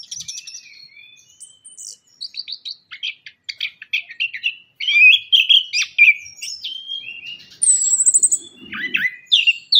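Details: Orange-headed thrush song played as a lure in Indonesia to coax birds that have stopped singing after moulting; varied bright whistled and chattering phrases, rapid trills and high thin notes, delivered in quick bursts with short pauses.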